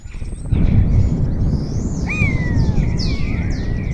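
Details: Spotless starling singing in Cabañeros National Park, Spain, with other starlings responding; after low rumbling noise, a loud falling whistle appears followed by several high sweeping slurred notes.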